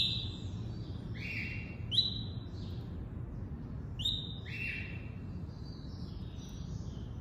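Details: Tuí-tuí song type from a double-collared seedeater: paired whistled notes, a high clear note dropping to a lower buzzier one, repeated about every two seconds, over a low hum.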